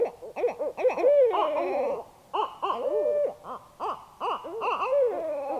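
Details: Two barred owls calling together in darkness while camping in north central Kansas, likely a mating display; overlapping wild, wailing hoots and cackles, some notes sliding downward in long moaning glides between choppy bursts.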